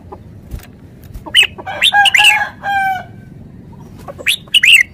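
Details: Red-whiskered bulbul singing: a few short harmonic whistled phrases around the middle, then quick rising chirped notes near the end, over a low background hiss.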